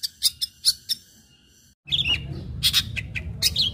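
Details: Long-tailed shrike in lively, combative song meant to set off other shrikes: sharp chirps repeated rapidly, a brief break, then squeaky whistles and harsh notes over a louder rumbling background.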